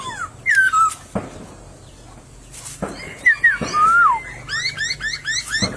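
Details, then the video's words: White-crested laughingthrush singing in a bamboo thicket in nature: loud whistled phrases that slide down from high to lower pitch, separated by gaps, then a quick run of short rising notes, with a few sharp knocks. "Burung POKSAY berkicau di semak bambu"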